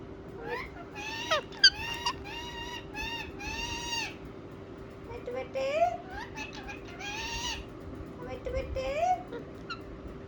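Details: Ringneck parakeets kept as pets talk and respond with rapid runs of chattering, speech-like syllables, some sliding upward, in several bursts separated by short pauses, with a constant background hum.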